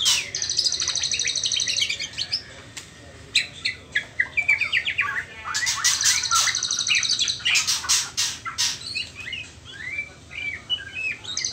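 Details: Trotol-stage juvenile white-rumped shama, not yet at the pastol stage, sings a dense, varied run of notes without pause. Fast buzzy trills, sharp high chips and lower warbled slurs and whistles sit close together and keep changing.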